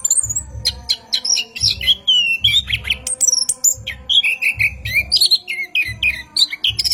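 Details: A training recording of an orange-headed thrush's night song, long rolling ngerol style: continuous warbled whistles and sliding notes, while regular low thumping beats pulse in the background.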